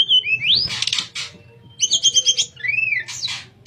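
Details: Flute-like nyuling song of a sooty-headed bulbul meant for training other birds: a rising whistle, rasping bursts, a quick stuttered double-note series, then a smooth arched whistle.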